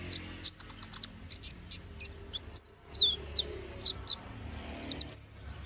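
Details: Brown-throated sunbird in lively song, a master recording meant to train other birds: spaced sharp high notes, then thin downward whistles, ending in a rapid twittering run.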